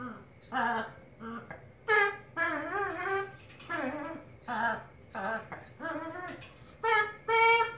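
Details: A female macaw sings while dancing: rich, voice-like wavering notes in bursts of about a second, rising and falling like a person singing, in a quiet room.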